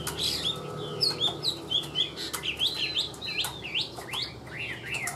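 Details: Tame Chinese hwamei in a cage sings quick, bouncing whistled phrases, each note sliding up and down, with clicks and a low steady hum in the background.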